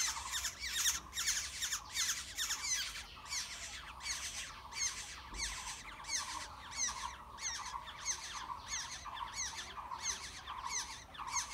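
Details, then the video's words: Wild Black-hooded oriole nestlings being fed in their nest: a rapid, continuous series of rasping, squawky calls, roughly one or two per second, loud and insistent, with faint low background rumble. "Yellow birds feeding their chicks In the nest"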